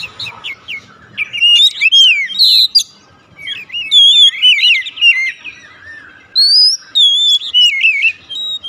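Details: Kacer (Oriental magpie-robin) singing 'nembak': a stuttering run of short notes leads into rich whistled phrases with downward slurs and wavering trills, repeated in bursts.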